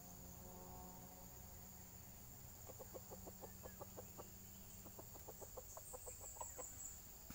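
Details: Clucks of red junglefowl being lured in the wild: quiet at first, then a quick series of crisp, evenly spaced clucks in two clusters, over a steady buzzing insect chorus.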